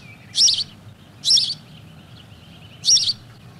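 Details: A house sparrow gives three loud, harsh chirps at an uneven pace, with a faint background hum; this chirping is the sparrow's song.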